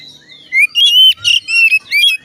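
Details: Oriental magpie-robin song played to make other magpie-robins sing: loud whistled phrases, rising and falling, in short bursts with brief pauses.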